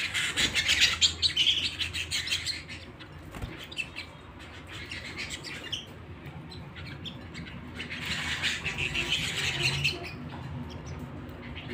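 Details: Pet canary indoors at home delivers two loud bursts of dense, high chirping trills, one at the start and one toward the end, with a quieter twittering stretch between and a low background hum.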